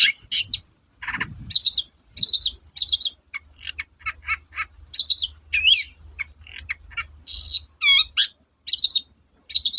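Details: Long-tailed shrike in full song, mixing shrill chirps, short clicky notes, a few rising and falling whistled slurs and a trilled phrase, given in quick irregular bursts over a steady low hum.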